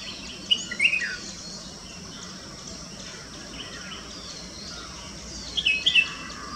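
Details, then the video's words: A red-whiskered bulbul gives two short bursts of bright, chirpy whistled notes about five seconds apart, over a steady background hiss. "Red Whiskered BulBul Call"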